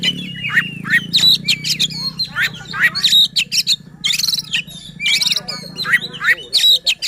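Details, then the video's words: A white-rumped shama's provoking song: energetic run of descending whistled slurs, sharp chips and scratchy chatters, repeated in quick phrases over a faint low hum. "Suara KACER Buat EMOSI dan NGOTOT Kacer Lain | Pancingan Kacer Malas Bunyi."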